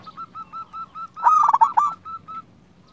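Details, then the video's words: Local zebra dove from Indonesia, used for luring and as a singing tutor for other doves: a row of soft, evenly spaced short coos, broken by one loud, stuttered, trilling phrase in the middle. "Perkutut lokal gacor RAJA PIKAT ini ahlinya bikin semua burung perkutut gacor NYAUT"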